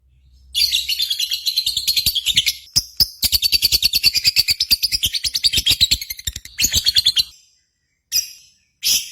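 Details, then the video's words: Lovebird singing in a lure recording meant to stimulate contest birds to sing; long bursts of rapid high chirping and twittering, dense rattling series, broken by short pauses and a few separate chirps near the end. "PANCINGAN Burung Lovebird"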